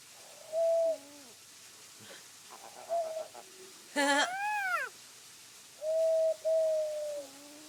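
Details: Funny noises from a Black-collared starling that reportedly never learned to sing from its parents: loud, level whistles ending in low downslurred notes, a quick stuttering series, then a sharp burst followed by arched, rising-falling whistles.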